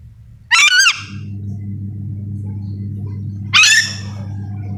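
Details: Sulawesi-endemic yellow-and-green lorikeet calling, two short harsh rasping screeches about three seconds apart over a constant low droning hum.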